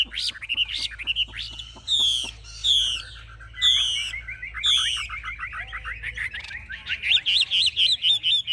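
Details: Caged Chinese hwamei, a bird that fights fiercely, displaying with raised wings and fanned tail; rich whistled phrases with looping slurs give way to a fast, rhythmic series of sharp repeated notes.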